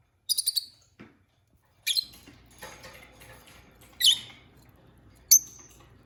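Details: Pet peach-faced lovebird pair; scattered shrill high chirps every one to two seconds, with soft rustling and scratching noises in a small room between calls.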